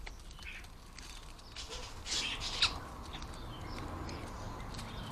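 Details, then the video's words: Common starlings feeding at a garden bird table at lunchtime, noisy and lively; scattered harsh, scratchy chatters and clicks in the upper range, with a louder burst near the middle and soft flutter of wings. "Noisy, lively and always enjoyable to watch as the starlings hit the garden bird table for lunch"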